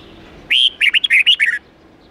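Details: Red-whiskered bulbul, wild-standard twisting 8–10 note song meant for young birds to copy: one crisp phrase of roughly seven fast, liquid whistles rising and falling, over faint background hiss.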